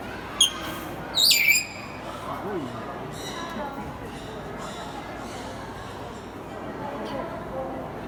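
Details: A captive grey parrot at Kakegawa Kachoen bird park, Japan, gives a brief high whistled phrase, a rising note dropping into a quick slurred whistle, imitating a bush warbler's 'hoo-hokekyo' song, in a quiet indoor hall.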